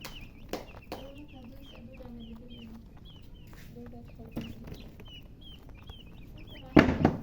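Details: A group of baby chicks peeping steadily, short high notes repeated several times a second, with a few soft clicks and a sudden loud clatter near the end.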